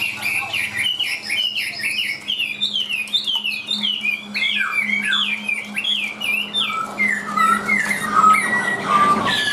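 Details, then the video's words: Caged Chinese hwamei, a tame bird singing while carried by hand, delivers a fast run of varied whistled notes, slurred up and down and packed closely together, with clearer drawn-out whistles near the end over a steady low hum. "Chim Họa Mi Hót Đỉnh Cao, Thuần Sách Tay Hót"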